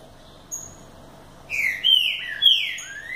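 Green-winged Saltator giving a rich, loud whistled phrase of slurred, overlapping notes, preceded by one thin high note; faint background hum.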